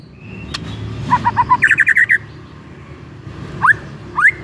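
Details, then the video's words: White-rumped shama song used as a lure to make another shama sing, with a run of repeated short whistled notes near one pitch, then quick rattling phrases and two upswept rising whistles, over a low background hum. "EFEKTIF BIKIN MURAI JADI AGCOR DALAM HITUNGAN DETIK DENGAN PANCINGAN INI"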